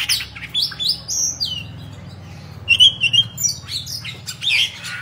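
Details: Oriental magpie-robin kept as a pet, singing while fanning its tail: scattered high stepped whistles, a short rapid trill midway, then sharp squeaky notes, over a soft low background drone.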